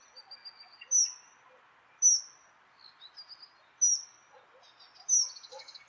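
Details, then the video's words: Wild Dunnock giving sharp, very high, thin notes roughly once a second, each briefly slurring down, with faint scattered twitters and soft chirps from other small birds between them and a low background murmur. "Dunnock Sound – Song & Bird Calls"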